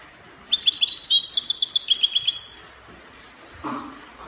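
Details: European goldfinch in copia song style, Morocco: one rapid, ringing phrase of closely spaced high notes lasting about two seconds, then a brief rustle and a short lower noise.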